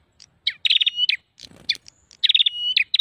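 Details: Prinia used to lure birds, giving high, rapid chattering bursts with a thin sustained whistle, a brief low rustle in the middle, and scattered sharp chips.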